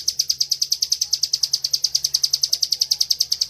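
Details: Ngebren-style song of a bar-winged prinia (ciblek), meant as tutor material for other birds: unbroken string of sharp, high, evenly spaced chips at about three per second.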